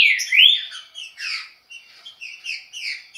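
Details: Short stretch of fast Chucrinho-style trinca-ferro song, opening with a loud rising whistled slur, then softer warbled and chattered phrases.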